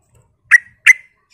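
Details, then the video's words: Sooty-headed bulbul, a vigorously singing bird used as a lure to draw replies from other bulbuls: two short, bright chirped notes about a third of a second apart, then silence, with a faint low rumble before them. "suara pancingan trucukan gacor"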